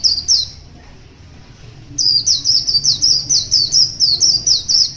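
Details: A wild one-year-old white-eye singing in the morning gives a brief high twitter, pauses, then breaks into a fast, thin, sweet warble of tumbling high notes, several per second.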